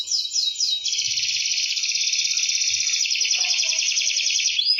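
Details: Singing canary offered as master audio for quiet birds: a short burst of rising notes leading into a long, even, rapid buzzing trill held for several seconds.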